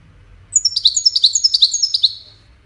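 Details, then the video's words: European goldfinch song in the Widani style, played to young goldfinches to teach them to sing: a rapid run of about fifteen bright, high twittering notes lasting roughly a second and a half, over a faint low hum. "تغريد ويداني لتسميع فراخ الحسون"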